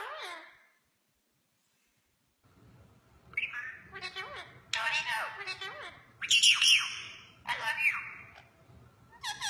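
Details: Ringneck parrots in conversation with each other: bursts of harsh squawks and chattering, buzzy notes mixed with short whistled chirps, coming in uneven clusters after a brief quiet gap near the start, over a faint low hum.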